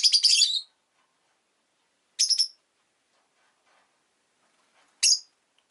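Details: Rosy-faced lovebird, Agapornis roseicollis, kept as a pet, uttering piercing high chirps in short rattled bursts, one long burst then two shorter ones about three seconds apart, otherwise quiet.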